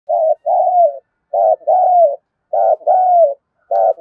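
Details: Decoy spotted dove calling to lure wild doves in quickly: low mellow coos in paired phrases, a short note then a longer drawn-out one slurring downward, repeated about every 1.2 seconds in a quiet setting.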